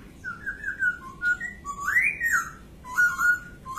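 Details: White-crested laughingthrush (poksay) giving varied whistled phrases: wavering notes, a loud rising-then-falling slur near the middle, then a steady whistle, roughly one phrase per second, with faint higher squeaky notes.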